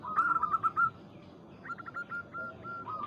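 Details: Zebra dove of local stock calling a rival as a lure: a short run of bright, clipped coos, a pause, then a faster series of evenly spaced staccato notes ending in a drawn-out coo.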